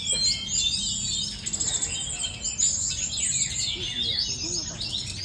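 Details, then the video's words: Fighting-style song of a sooty-headed bulbul (tledekan gunung): a dense stream of sharp, high chirps and short up-and-down slurred notes, delivered almost continuously for several seconds against a light low hum. "Gaya tarung tledekan gunung"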